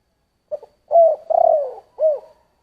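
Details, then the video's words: Spotted dove sings in the 'giọng thổ' style: a quick double note opens, then a long steady coo, a trembling falling coo and a short rounded closing note, all in a quiet setting. "Tiếng chim cu gáy giọng thổ"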